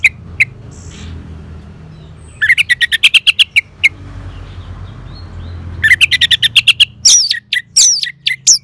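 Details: Orange-headed thrush (anis merah) song for caged-bird therapy: scattered single notes, then two long runs of fast, sharp, high chirps, ending with bright rising whistles over a low background rumble.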